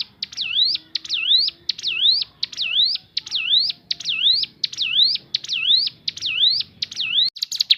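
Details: Crescent-chested babbler (ciblek gunung) natural voice for luring other birds to sing: slower series of high whistles, each sliding down then sweeping up, about one every 0.75 seconds, ending in a brief burst.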